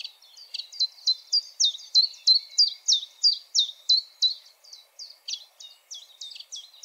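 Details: A common chiffchaff repeats its simple song of clear, high, falling notes at a brisk, even pace near three per second, over a quiet background.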